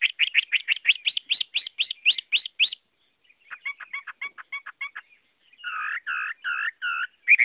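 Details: Chinese hwamei song: a rapid series of about a dozen bright, rising whistled notes, a brief pause, then a quieter run of stuttering chips and a few fuller, slurred warbled phrases.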